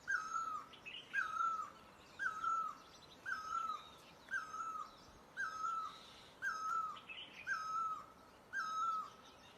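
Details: Steady, evenly spaced hollow notes from a great barbet in Asia, each bending downward, repeated about once per second; thin high chirps and a faint hiss sit in the background.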